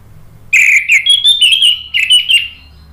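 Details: Orange-headed thrush (anis merah) song used to provoke rivals into replying: a sustained, slightly rising whistled phrase broken into warbled segments, bright and clear, lasting about two seconds.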